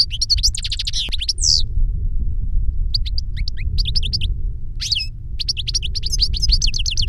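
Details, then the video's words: Captive European goldfinch singing reclamo song; a master bird and a novice that learned the song from a CD of it. Lively tinkling phrases and buzzy slurs in bursts, with a constant low droning hum throughout. "Jilguero maestro cantando reclamo y enseñando a otro jilguero novel"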